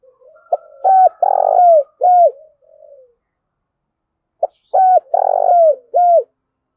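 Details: Spotted dove giving its cooing lure call, used to draw in wild birds: two phrases of short hooked notes and a buzzy, rough central coo, each about two seconds long, separated by a pause, with a quiet background.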